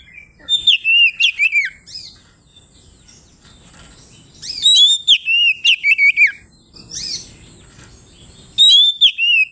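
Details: Kacer (Oriental magpie-robin) singing in full 'ngeplong' style, described as calling out a rival. Three bursts of bright whistled, slurred notes and chattering trills, separated by quiet gaps of a couple of seconds.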